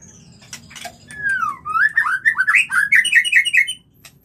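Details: White-rumped shama mating song: a sliding descending whistle followed by a rapid string of rising, looping whistled notes, roughly eight per second, ending abruptly, with a faint hum below.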